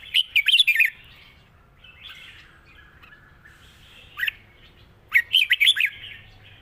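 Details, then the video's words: Red-whiskered bulbul in a cage, singing long song with chattering in wild-style phrasing: a loud rapid rolling phrase opens, quiet warbling follows, then a single sharp note and a second loud bubbling burst. "เพลงยาว ปากเบา ร้อง+ริก /สำนวนป่าๆ"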